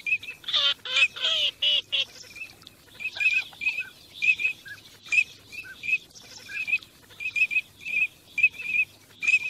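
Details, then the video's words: A group of teal on migration opens with a cluster of harsh nasal quacks, followed by a long series of short, high whistles repeated quickly and unevenly. "teal call migration song"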